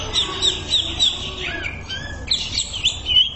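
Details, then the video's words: Greater green leafbird in a training recording for songbirds, delivering rapid repeated high chirps and short whistled slurs, about three notes per second, then a brief pause before resuming over a faint low hum. "MASTERAN CUCAK IJO SANGAT MAHIR UNTUK TERAPI"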